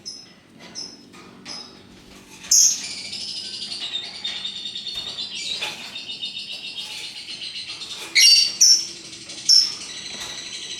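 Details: Multicoloured lovebirds keeping up a soft, fast, high-pitched chattering trill, punctuated by several sharp, piercing squeaks and short louder bursts.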